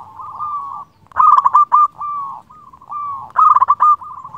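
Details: Local zebra dove singing to summon a rival: soft sustained coos alternate with louder bursts of rapid, rolling staccato notes, repeated about twice.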